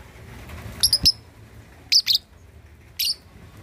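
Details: A juvenile lovebird of 2.5 months trying out ngekek chatter for provoking rival birds: a triple burst of sharp high chirps, then a paired burst, then one more short squeak.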